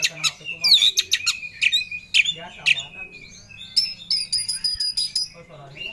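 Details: An Oriental magpie-robin seeking a rival sings energetically, mixing rich whistled slurs and harsh notes, then a run of fast, evenly spaced ringing ticks near the end.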